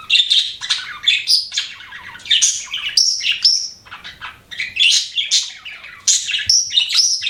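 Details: Budgerigar chirping: bright whistled chirps and short warbled phrases in bursts, with brief pauses near the middle and a few clear rising whistles.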